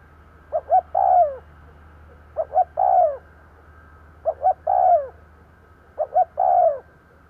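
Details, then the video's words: Decoy spotted dove cooing to lure wild doves: four phrases about every two seconds, each two short soft hoots followed by a longer, lower, falling croon, over a faint steady low hum. "Tiếng cu gáy mồi gù gáy kích bổi nhanh nổi"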